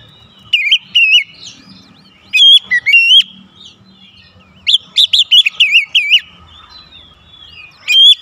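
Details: Kept Oriental magpie-robin sings to stimulate its song: loud bursts of wavering whistled notes separated by pauses with a faint buzzy background and low hum.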